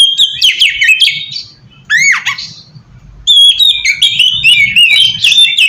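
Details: Oriental magpie-robin singing as a lure for wild birds: bursts of rich whistles and harsh squawky notes, a swooping downward slur, a brief quieter gap, then a fast jumble of high chirps and trills.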